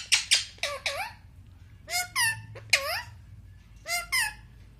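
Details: Indian ringneck parakeet kept as a talking pet, said to say papa and mummy; short rising squawked syllables in pairs, with clear harmonic bands, four groups spread across the clip over a low room hum.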